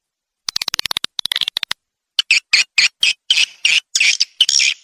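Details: Edible-nest swiftlet calls played as a lure for a swiftlet house: quiet start, then a rapid rattle of clicks, and a regular series of short rasping chirps about three per second.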